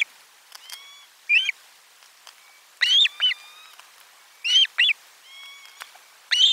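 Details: Osprey at its nest camera number 4 on 12 July 2022, around a lunchtime fish delivery; loud, sharp whistled chirps come in quick bursts of two or three, separated by thinner, fainter whistled notes.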